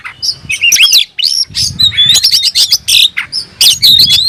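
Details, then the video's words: Oriental magpie-robin, tail fanned and agitated, calling an opponent to fight: dense tumbling song of whistled slurs, buzzy notes and sharp clicks with barely a break, faint low rumble behind. "kicau burung KACER‼️gacor buka ekor dongkrak emosi panggil lawan tarung"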